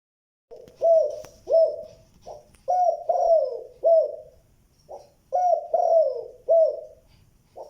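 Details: Spotted dove calling in the style described as giọng đồng tốt, tiếng 2 hậu lỡ. It gives low, mellow cooing phrases: a soft lead-in note, then two or three rich coos with a drawn-out falling last note, repeated several times in a quiet setting.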